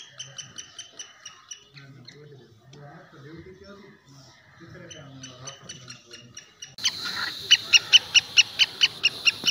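Black francolin giving harsh, grating notes in quick, regular runs, louder and faster toward the end, with a man talking over the middle.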